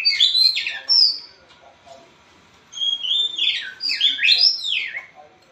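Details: White-rumped shama (murai batu blorok) in energetic, non-stop song, played as a lure to coax a reluctant shama into singing: rapid rich phrases of sweeping whistles and chattering notes, a brief pause near two seconds, then dense downslurred whistles.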